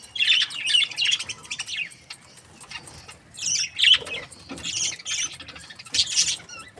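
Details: Happy budgerigars kept as breeding pairs chatter in bursts of bright, scratchy chirping, loud clusters separated by brief quieter gaps, with several birds calling over one another.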